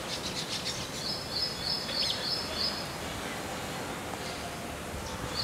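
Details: Baya weaver in the Indian subcontinent, nest-building in a colony during the pre-monsoon breeding season, gives high, thin chittering notes running into a wheezy, sizzling trill over steady background noise.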